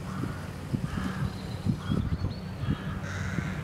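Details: Near tree nests holding young, rooks in England just before Easter call repeatedly with rough, grating caws, several in quick succession, while gusty wind and low rumble run throughout.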